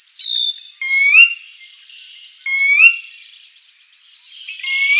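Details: Sora (Porzana carolina) at Shiawassee, Michigan, USA, on 18 May 2023, giving clear, rising whistled 'ker-wee' calls, three in five seconds, over a faint high chatter of other birds.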